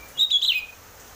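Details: Single short whistled phrase from an Oriental magpie-robin, a cage bird, played to get birds singing; a bright note wavering and then trailing downward.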